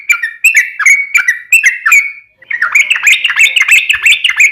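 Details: Yellow-vented bulbul, daily training recording for kept birds: a handful of separate falling whistles, a short pause, then a fast, rising, chattering warble of jumbled liquid notes.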